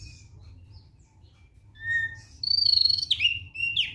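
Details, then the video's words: Relaxed song of a thick-billed white-eye. Soft, scattered high notes build into loud whistled phrases that rise and fall sharply, ending in quick downward slurs over a faint low hum. "KICAUAN SANTAI OPIOR PARUH TEBAL"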